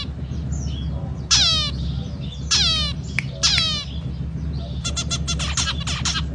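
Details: Zebra finch song opening with three loud descending sweeping notes roughly a second apart, followed by a quick run of clipped, buzzy nasal notes; constant low background hum.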